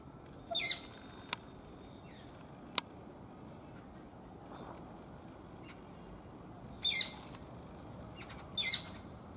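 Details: An owlet in daytime gives three brief, harsh, high screeching calls, one early and two close together near the end, with a couple of sharp clicks against a steady background hiss.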